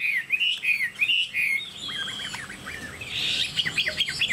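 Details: Very tame Chinese hwamei of tall posture giving a few clear rising whistles, then fast chattering zigzag trills and a brief buzzy rush of notes, loud and lively against a low hum.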